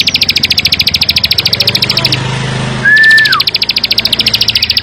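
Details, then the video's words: A plain prinia (ciblek sawah) gives a fast, even, buzzy trill of high clicks, about eight a second, pausing briefly before one slurred whistle, over a low engine hum. "ciblek sawah gacor full bren rapat"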